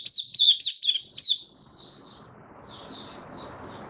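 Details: Captive white-eye, newly started singing after a deworming treatment, 18 May 2022, gives a quick burst of high, twittering chirps, five or six notes in just over a second, then softer warbled phrases over faint hiss.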